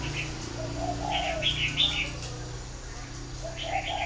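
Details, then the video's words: Spotted dove at a breeding farm in Ba Vì, Hanoi, northern Vietnam: two low, soft cooing phrases, one early and one at the end, with sharp high chirps from other small birds between them over a steady low hum. "chim cu gáy hay miền bắc"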